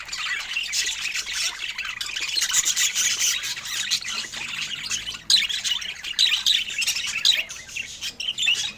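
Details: Budgies eating fruit, chirping steadily: a constant high, rasping warble with occasional sharper squeaks standing out.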